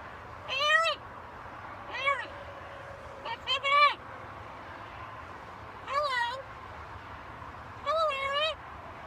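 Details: Talking pet macaw on a household balcony produces a string of five speech-like harmonic bursts, some doubled, rising then falling in pitch, over a steady low hum.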